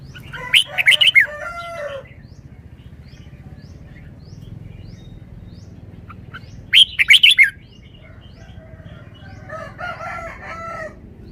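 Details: Red-whiskered bulbul kept as a caged songbird, singing in wild style: two short, loud bursts of rich warbling notes about six seconds apart, with quiet chirps in between and a rooster crowing faintly nearby.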